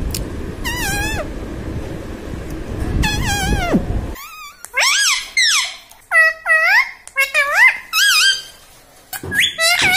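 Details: Talking pet ringneck parrot saying "mummy papa" in a small room; after background rumble, a burst of rapid, high, harmonic, rising-and-falling vocal syllables repeated in quick succession.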